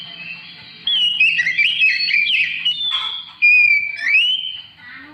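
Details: Oriental magpie-robin singing as a lure to get other birds singing; rich, varied whistled phrases with rapid warbling, then a clear sliding whistle that dips and rises again, loud and close.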